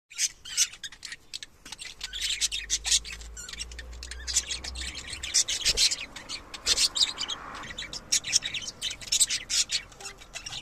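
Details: Budgerigar; courtship chatter; courtship between a mated pair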